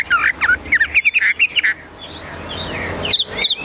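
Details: Chinese hwamei, a caged songbird in Vietnam, singing high: a burst of loud, varied whistled notes in quick succession, followed by a quieter pause and a few thin, high chirps.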